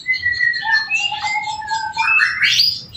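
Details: Home-bred male canary singing a master song for training birds: long level whistles at several pitches overlapping, then a steep upward-sweeping burst of bright notes.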